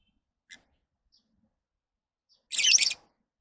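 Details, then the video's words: A lovebird gives one loud, harsh, buzzy screech lasting about half a second, preceded by a tiny faint chirp, with silence otherwise. "Love birds Sounds"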